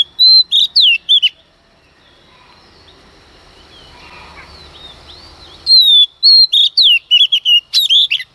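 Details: Early-morning song of a female Oriental magpie-robin, sung to stir up males: two bursts of rapid, bright whistles with sliding, twisting notes, split by a few seconds of near silence.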